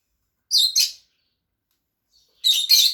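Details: Pair of pet Fischer's lovebirds giving two loud doubled squeaky chirps, the second burst louder and harsher, separated by about one and a half seconds of quiet.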